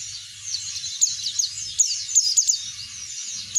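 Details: Oriental white-eye song played to coax other birds into singing: fast, very high twittering and sharp chirps in a continuous stream, with a faint low pulsing hum beneath.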